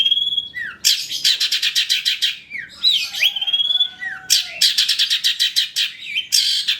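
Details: Long-tailed shrike, trotol type, in a full fill-in lure song for other shrikes. Clear sliding whistles alternate with rapid runs of sharp, stuttering high notes, and a few lower, drawn-out whistled tones.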